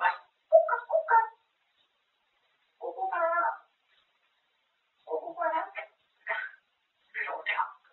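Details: Grey parrot at home talking nonstop about food: a quick run of syllables, a long pause, one drawn-out phrase, then several short clipped words.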